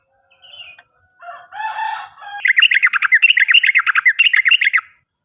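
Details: Sooty-headed bulbul song played to stir silent or newly caught birds: harsh, scratchy chatter gives way to a fast, bright trill of falling notes in bursts, repeated rapidly for over two seconds.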